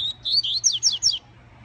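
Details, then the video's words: Caged male-style yellow-bellied seedeater (coleiro baiano) singing as it comes out of moult: a steady high whistle, then slurred notes and four quick downward-swept whistled notes in a bright phrase just over a second long. "COLEIRO BAIANO Zé Carioca SAINDO DE MUDA!"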